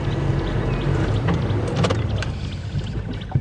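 A steady low rumble of a vehicle engine with faint clicks and knocks, and no animal calls.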